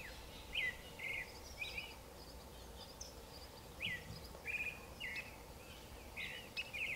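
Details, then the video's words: Creamy-bellied thrush, a South American bird with a reputedly sad song, giving short whistled phrases in clusters separated by brief gaps, each note slurred and somewhat buzzy, against steady environmental noise. "sabiá-poca (Turdus amaurochalinus)"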